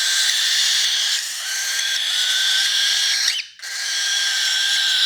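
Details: Baby cockatiel being hand fed, March 2021, giving a continuous harsh, raspy, hissing begging sound with faint squeaky rising notes near the end and a brief pause.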